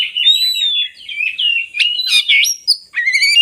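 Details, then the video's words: Lure song of the oriental magpie-robin for prompting lazy birds to sing. Loud, clear whistled slurs, some long and even, others rising sharply, mix with short chattering bursts and brief pauses. "suara burung kacer bagus untuk pancingan kacer malas bunyi"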